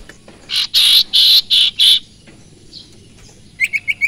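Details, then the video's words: Common Iora (sirpu/sirtu), whose song is said to stir other birds to sing: five loud rasping buzzy notes in quick succession, a pause, then four rapid high chips in a fast run. "burung sirpu/sirtu dorong burung lain jadi emosi dan gacor"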